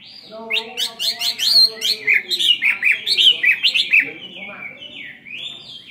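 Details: Caged Chinese hwamei, a two-year-old bird, singing a fighting song: rapid loud whistled phrases of slurred notes, rising and falling, repeated many times, then softer warbling toward the end; faint background hum.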